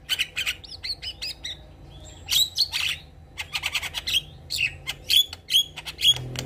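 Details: Javan myna delivering a vigorous, filler-packed song while nodding: quick scratchy chirps and clicks alternating with short, sharp whistled notes, several rising whistles near the end, phrases delivered in irregular rapid bursts.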